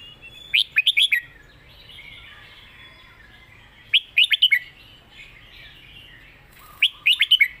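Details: Red-whiskered bulbul giving a 'master song' (phrase sung as a model). Three quick phrases of four to five bright, bouncy whistled notes about three seconds apart, over steady twittering from other birds.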